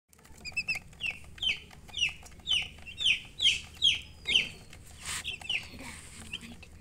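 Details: Chicks peeping in a run of high, downward-slurred chirps about two per second, loud and regular through the middle, with a brief noisy burst near the end and faint low hum beneath.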